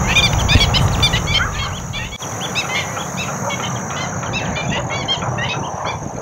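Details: Noisy group of black-winged stilts at the Basai Wetlands in Gurugram, India, a dense, overlapping chorus of short yelping kek notes from many birds, with a steady high whine and low rumble beneath.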